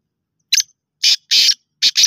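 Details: Black francolin calling, four to five short harsh bursts in quick succession, the first brief and thin, the others fuller and grating, separated by short silences, with no other sounds.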